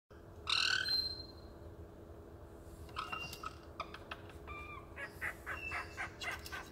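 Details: A male caique clucking inside a cabinet, apparently enjoying hearing his own voice, gives one loud, ringing squawk, then a run of quick, clicking clucks and short chirps, several each second, over a steady low hum.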